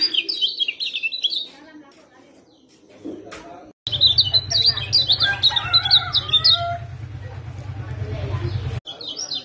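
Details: Provoking song of the lemon-bellied white-eye, meant to spur a quiet bird into song: quick high chirping trills. A near-silent gap follows, then dense twittering over a continuous low hum, and a last short burst.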